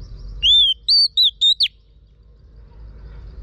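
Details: Female Oriental magpie-robin rousing a male, a single crisp run of five whistles: a long arching note followed by four shorter clipped ones, rising at the end, over near silence.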